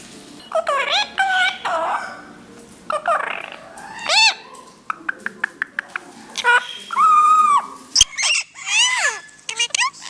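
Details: Parrots mixing many sounds: bent whistles, quick clicks, a steady drawn-out flat whistle and sliding squeaky notes, delivered irregularly with short pauses between phrases.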